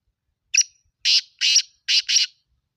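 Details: Black francolin calling: a harsh, grating phrase of five broad, raspy notes, one short note then two closely spaced pairs, within about two seconds against a quiet, clean background.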